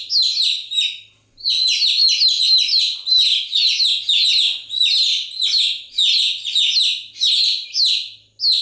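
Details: Chicken chicks chirping continuously: high, shrill, downward-sliding peeps that overlap in dense bursts, with one short pause near the start.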